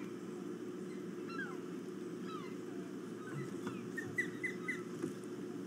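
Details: Ospreys in flight early in the morning, one landing on a perch; scattered sharp upslurred whistled chirps building into a rapid run of short high notes near the end, over a constant low rumbling background.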